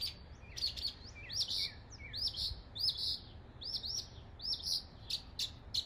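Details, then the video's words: In East Tennessee, a northern mockingbird copying local birds repeats an arched, high whistled note about every half second, each paired with a sharp click, after a few lower downslurred notes. "A mockingbird imitating the sounds of local birds in East Tennessee."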